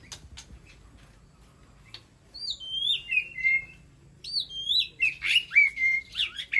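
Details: After a quiet start, a caged White-rumped shama calls to its flock with bright looping whistles, pauses, then delivers a lively stretch of rising and falling notes repeated in quick succession.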